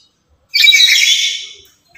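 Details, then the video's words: One harsh, piercing screech of about a second from a lory said to be exceptionally noisy and active, kept as a decoy and call model for other lories, with near silence around it. "Inilah Burung Nuri Yang Paling Cerewet Dan Lantang"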